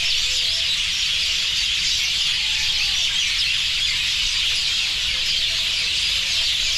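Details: A large gathering of birds chirping at a roost, with the ground beneath white from droppings. Continuous shrill twittering from countless overlapping voices, steady throughout, with no single caller standing out.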